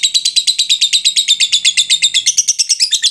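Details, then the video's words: Lovebird giving the long ngekek chatter, meant to trigger other lovebirds to chatter. Harsh, grating notes repeat quickly and steadily, roughly eight per second, turning slightly higher and scratchier near the end. "suara lovebird ngekek panjang"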